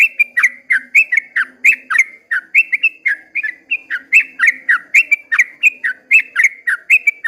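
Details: Sooty-headed bulbul at dawn singing a long 'ropel' style song: rapid bubbly whistled notes, each dipping then rising, about four per second without pause, with faint low humming behind.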